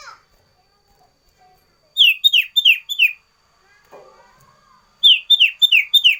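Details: Sooty-headed bulbul singing a loud variation song, used as tutor song and wild-bird lure: two bright bursts of four or five quick downward-slurred whistles, separated by about two seconds of quiet with a faint low rustle.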